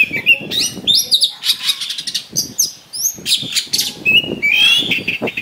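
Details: Kacer, or Oriental magpie-robin, singing a coarse, insistent fight-provoking song: dense harsh chattering bursts mixed with sharp whistled upslurs and a few drawn-out whistles, with faint low rustling beneath.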